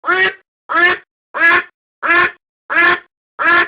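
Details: Domestic duck quacking for a decoy recording: six loud, buzzy, nasal quacks in a very regular rhythm, one about every two thirds of a second, with no other sounds.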